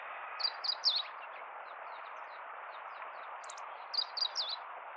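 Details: Meadow bunting from central Hyogo, Japan, North Harima, 10 April 2021, delivering two bursts of rapid high chirping notes about three seconds apart, with faint softer notes between and a steady background hiss.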